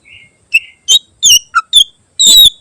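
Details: Varied greater green leafbird song, full of borrowed phrases and used to train other birds. A soft level whistle is followed by scattered sharp chips, a low note, and a harsh buzzy closing burst.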